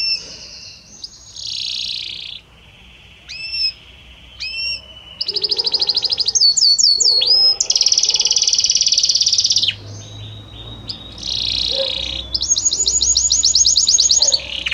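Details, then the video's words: Belgian canary singing a varied song of many different notes, gliding gradually from one note to the next: high whistled phrases, rapid trills and buzzy rolls, sustained bright rattling passages with brief pauses between phrases. "Magnífico Como canta este Canário Belga!"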